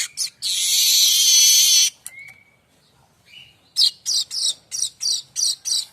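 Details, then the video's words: Streaked weaver singing, used to tutor songbirds: a sustained harsh, buzzy sizzle, a thin rising whistle, then a rapid run of about eight sharp, evenly spaced raspy chirps. "Kicau manyar variasi mantab"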